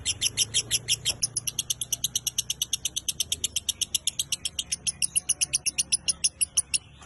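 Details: Lovebird trill in the 'konslet' style, captured as bird-training audio: one unbroken stream of sharp, high rattling notes, steadily repeated around seven times each second for the whole seven seconds.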